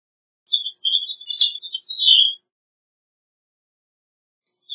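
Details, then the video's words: Gray-cheeked thrush singing one high, thin phrase of fluty, slurred notes that jumble together and end in a falling buzzy trill, lasting about two seconds, followed by silence. "Gray-cheeked Thrush Song! Gray-cheeked Thrush Call! Gray-cheeked Thrush Sound! Singing!"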